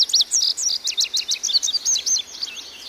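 An Indigo Bunting gives a quick run of high, sharp, slurred notes, about four or five each second, against quiet background hiss.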